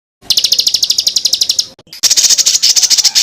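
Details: Varied songbird fill-in phrases for tutoring contest birds: a rapid run of bright, high, evenly repeated chirps, a short break, then a denser, buzzier high chatter, apparently spliced together.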